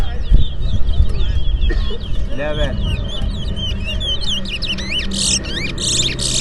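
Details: Towa towa (twa-twa finch) song race in Berbice, two birds competing while songs are counted aloud; a fast, chattering run of high slurred notes that grows louder, ending in harsh buzzy bursts, with speech and low noise underneath.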